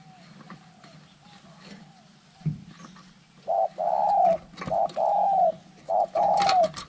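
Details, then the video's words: Faint coos under rustling and background noise build into clearer two-part calls, a short note then a longer slurred one, as spotted doves fight. "เสียงนกเขาใหญ่ ต่อสู้กัน"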